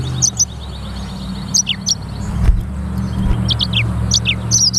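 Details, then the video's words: Black-throated canary (sanger) singing lively: high, thin chirps and quick down-slurred notes in short scattered bursts over a steady low engine rumble. "BURUNG FINCH EDEL SANGER / BLACKTHROAT Suara Gacor"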